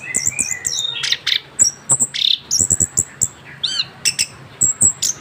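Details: Young orange-headed thrush after its moult, singing in the rolling 'ngerol' style: high thin whistles, squeaky chips and a looping downslurred note, delivered in quick irregular phrases above a constant faint hum.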